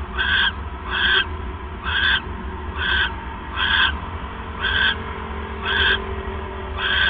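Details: Owl heard at 9:42 PM on December 28, 2014, while the male delivers a third mouse at night; nine rasping hiss-like bursts repeat steadily, with a constant low drone in the background.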